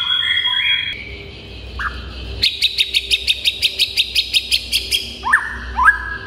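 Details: White-rumped shama in full lively song, meant to make other shamas answer and turn agitated: clear whistled notes, then a fast, even run of about thirteen sharp high notes, ending in rising slurred whistles.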